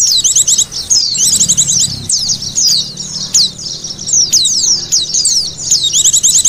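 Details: White-eye sounds used to lure birds: excited, high-pitched twittering, fast chirp series and sharp descending whistles that run almost without pause.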